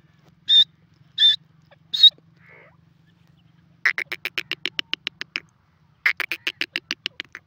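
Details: Grey francolin calling in the jungle: three clear high piercing notes, then two fast trains of harsh, clicking notes repeated in quick series, with quiet background otherwise.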